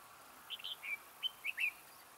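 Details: Red-whiskered bulbul decoy luring wild birds toward a trap, delivering a clear phrase of six sweet whistled notes, the last ones sliding upward and loudest.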